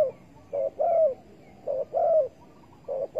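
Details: Spotted dove at a bird-trapping site using bare bait, August 2020, giving steady repeated cooing: a short even note then a longer throaty coo sliding downward, three phrases in quick succession over quiet background.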